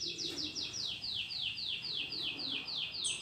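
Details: Domestic canary, a new caged household bird in training to sing: a fast series of about eleven bright, descending whistled sweeps, evenly repeated, with faint room noise below.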